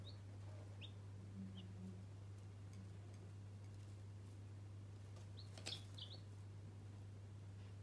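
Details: Newborn chicks kept as pets give short, high, downward-sliding peeps, isolated ones near the start and a small cluster around five to six seconds, over a steady low electrical hum with a faint click.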